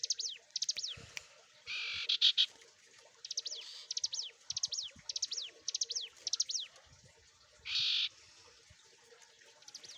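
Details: Bar-winged Prinia (ciblek gunung) in energetic song for training caged birds: repeated clusters of high, downward-sweeping whistled notes, interrupted twice by loud, harsh hissing bursts, with a faint hum underneath.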